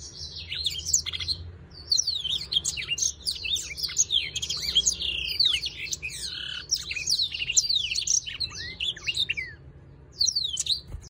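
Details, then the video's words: Black-throated canary singing in a breeding context with a dancing display: a dense, fast run of bright chirps, trills and sweeping whistled notes, high-pitched and nearly continuous, with short pauses near two and ten seconds. "Thạch cổ đen múa Vip _ blacktroat canary singing_ breeding"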